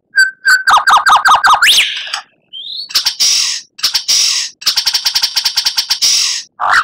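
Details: Energetic white-rumped shama song used to train captive birds: a steady opening note, a quick descending string of repeated notes ending in a sharp upsweep, then clipped rattling bursts separated by short gaps.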